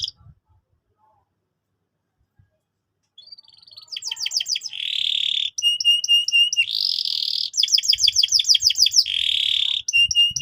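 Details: Canary song for schooling young canaries begins after about three seconds of near silence. It builds into rapid descending chirp series, buzzy rolls and bright repeated high whistles.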